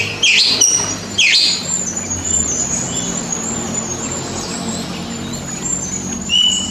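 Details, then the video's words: Oriental magpie-robin basic master song, played as therapy to train pet birds that rarely sing or sulk, including birds after moulting: two sharp, bright, high chattering bursts early on, then a thin, sustained high whistle and a final short phrase. "TERAPI Masteran Dasar Kacer Untuk Burung Yang Susah Bunyi Dan Suka Nangkur"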